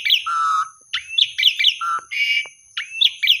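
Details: Asian pied starling lure song meant to get quiet birds singing again, with alternating low level whistles and bursts of rising chirped notes and buzzy rasps, over a faint steady high-pitched hum.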